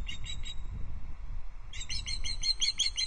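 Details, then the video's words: Osprey alarm calls from a female perched by her Loch Arkaig nest as another osprey intrudes, August 2022; three quick shrill notes, a pause, then a faster, louder series of piercing peeps. "Intruder Osprey caught on Loch Arkaig Osprey nest cam: Dorcha alarm calls from the perch"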